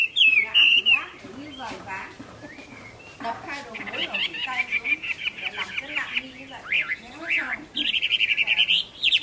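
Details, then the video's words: Chinese hwamei in late-afternoon song on 15 April 2024, a varied mix of whistles, chattering rapid notes and mimicked-sounding phrases, ending in a loud sustained stretch of fast repeated whistled notes. "Họa mi mơ hót vui chiều muộn"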